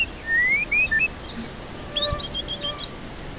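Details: Song of a white-rumped shama, meant to trigger singing in stressed birds reluctant to call: a few long rising whistles, then a quick string of short high notes rising in steps, steady hiss behind.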